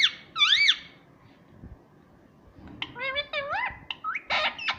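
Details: Pet parrot talking indoors, imitating mummy and papa: one loud squawky swoop, a long quiet stretch, then a rapid run of rising, chattering harmonic syllables.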